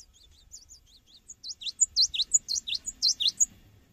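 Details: Cinereous tit singing vigorously, recorded for use as a lure when training birds: quiet high chirps at first, then a loud run of bright, high, V-shaped whistled notes alternating with thin upper notes, about a dozen in two seconds.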